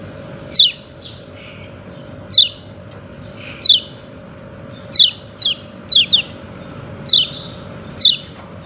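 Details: Yellow-breasted white-eye calling "ciak ciak": sharp, high downslurred chirps, nine of them at uneven gaps, some in quick pairs, over a steady low hum.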